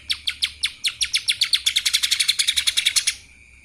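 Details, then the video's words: Rapid kapas tembak song of a lesser green leafbird, a continuous stream of crisp high chips that quickens into a tight rattling series before stopping abruptly, leaving only a faint steady tone. "CUCAK ijo mini Fulll suara KAPAS TEMBAK...!"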